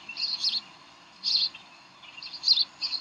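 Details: Evening at the Decorah bald eagle nest, 18 May 2012, while the birds play tug of war: short, high squeaky chirp bursts, four groups separated by brief silences.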